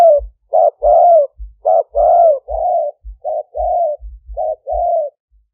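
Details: Spotted dove decoy of a fierce strain in Roi Et, Thailand, 'lio tan' style, luring wild doves; paired short and long coos repeating about once a second, with soft low thumps under each phrase.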